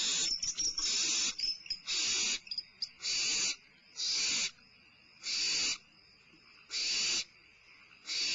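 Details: Limping barn owl owlet at Starr Ranch during a midnight meal, 22 May 2011: harsh breathy hisses about half a second long, repeated roughly every second, with faint scratchy rustles between bursts.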